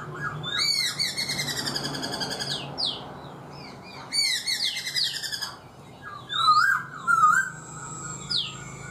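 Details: Four-month caged black-throated laughingthrush sings rapid buzzy trilled phrases and loud rich whistled notes, separated by short pauses.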